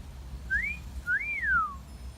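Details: Wolf whistle from a pet parrot in a garden: a quick upward-swooping note, then a second note that rises and glides smoothly downward, with a faint low background rumble.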